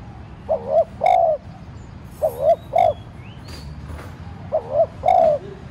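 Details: Spotted dove used as a decoy, cooing lightly to stir wild doves to call. Three low mellow phrases, each two short coos then a longer held note, evenly spaced, with faint thin chirps from small birds in the background.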